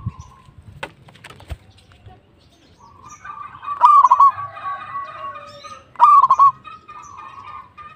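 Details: A local zebra dove, a frequent singer, gives two loud rolling phrases of three or four quick coos, about two seconds apart, after an opening of scattered clicks and knocks.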